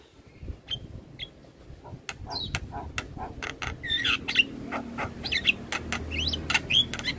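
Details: Javan myna in the morning, recorded as a song model for young mynas: quiet scattered whistles at first, then dense clicks, twisting whistled phrases and harsh notes building in volume over low background noise.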